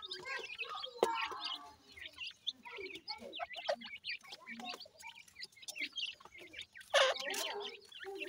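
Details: Francolin (teetar) chicks calling while being fed: many short, high chirps and clucks overlapping in a busy, continuous stream, with a few louder sharp notes standing out.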